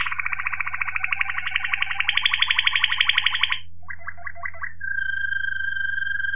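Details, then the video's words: Waterslager Malinois canary recorded in 2018 singing: a long, rapid, bubbling roll lasting over three seconds, then a short choppy warbled phrase, then a steady clear whistled tone, over a constant low hum. "Waterslager Malinois Canary"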